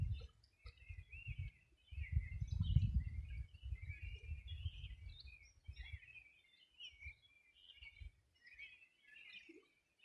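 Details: Riverside birdsong by the Río Bueno, Los Ríos Region, summer morning 2020: steady overlapping chirps and warbling twitters from several birds, with heavy low rumbling noise in the first half that fades later.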